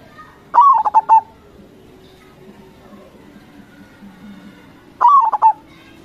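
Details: Crossing song of a local zebra dove, meant to lure others into answering: a sliding coo broken into rapid clipped notes, repeated after roughly four seconds of near silence with a faint background murmur.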